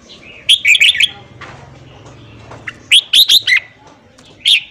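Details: Morning song of a red-whiskered bulbul, used to coach newly caught birds. Two groups of four or five sharp whistled notes are separated by a quiet gap, then a single later note, over a faint hum.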